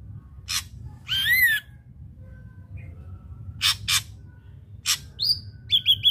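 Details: Captive ashy drongo singing, a recording meant to lure untrained drongos into song: short harsh bursts, a wavering whistled slur, more rasping notes, then a rapid series of short clipped whistles at the end.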